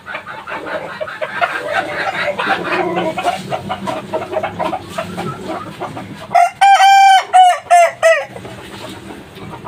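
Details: A young kukuak balenggek chicken, three months old, gives a long stepped crow in the final seconds, broken into several linked segments that waver and fall. Before it, a murmur of clucking and background chatter from other fowl.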